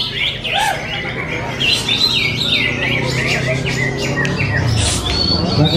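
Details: Contest-winning greater green leafbird, bought at Kepanjen market only two months before, gives a run of bright, rapidly repeated whistled and chirping phrases over a low humming background with faint voices.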